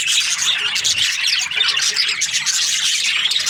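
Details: Happy budgerigars chirping in breeding season: constant busy high chatter from many birds, overlapping squeaks and warbles forming a steady, bright din.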